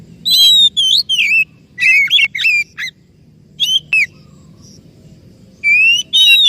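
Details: Oriental magpie-robin song used as a lure to make a silent or stressed bird sing: loud whistled and slurred notes in short clusters, a quiet gap mid-way, then strong sustained whistles returning at the close.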